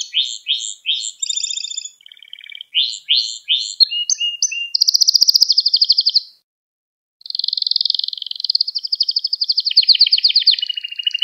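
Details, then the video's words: Gloster canary song for rousing other canaries: groups of down-slurred whistles, brief buzzy phrases, a loud fast trill, a short pause, then another long trill sliding lower near the end. "Gloster Kanarya Sesi Ve Ötüşü | Kanarya Huylandırma | Kanarya Kızıştırma"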